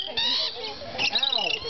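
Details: Green-naped lorikeets in the walk-through Lorikeet Landing exhibit at the San Diego Wild Animal Park, where visitors feed them, give shrill, rasping screeches in quick bursts, high and harsh, with a human voice murmuring underneath.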